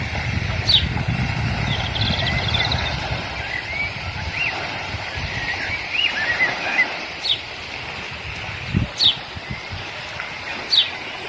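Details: Hungry American dipper giving four sharp, high, downslurred 'zeet' calls spaced a few seconds apart, with softer warbling notes early on over steady rushing water.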